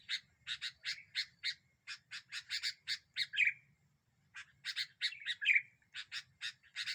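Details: Energetic sooty-headed bulbul used for luring, provoking rival birds. Long runs of harsh, evenly spaced chirps each close with a rich liquid warble, and a short pause splits the two runs.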